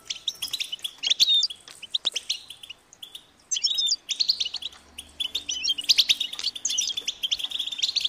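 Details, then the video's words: European goldfinch young calling insistently, high-pitched, so parents can locate and feed them; bursts of crowded chirps and twitters separated by short silences, with a faint low hum in the middle. "unique experience in stimulating goldfinch and chirping birds"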